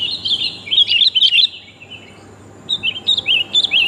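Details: Sooty-headed bulbul, a female calling the male, used as a lure: two groups of quick, bouncing whistled chirps with slurred rising and falling notes, separated by a quiet gap.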